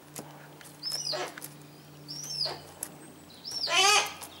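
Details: Harris's hawks in captivity caring for their chicks: three high whistled notes that fall steeply into a rasp, the last one loudest and harshest, with faint clicks in the background.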